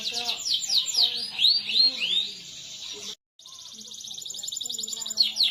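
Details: Canary song as a master to prompt silent canaries: varied arched and downslurred whistles first, a sudden brief silence, then a steady rapid high roll ending in quick sweeps, with low murmuring underneath.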